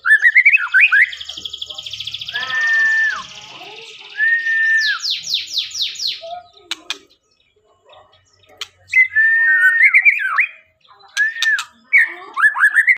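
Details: White-rumped shama singing 'konslet': clear whistled slurs mixed with long buzzy rattles and bursts of rapid high notes, varied phrases separated by short pauses, with faint background noise.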